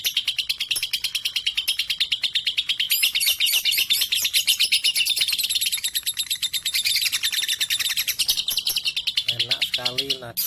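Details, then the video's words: Young lovebird labelled 3.5, said to trek boldly among adult birds and to make a good tutor; dense, fast chattering of high clipped notes throughout, with a few lower wavering notes near the close. "Lovebird 3.5 🌒 berani trek dengan dewasa dan Cocok buat masteran"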